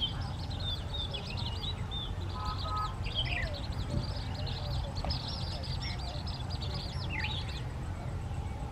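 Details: Asian palm swifts gathering at a nesting palm during courtship and mating flights: shrill, high twittering trills from several birds, coming in quick bursts over constant low background roar.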